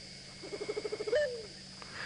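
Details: Southern white-faced scops owl, about 27 cm, played recording in South Africa: a quick stuttering run of about eight soft low hoots, then a longer note sliding downward, over a faint steady hum.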